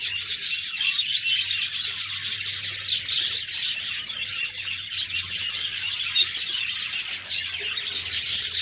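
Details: Budgerigars in a group giving steady high chirps and rapid chattering warble, overlapping bright tweets sustained throughout, with a faint low hum underneath.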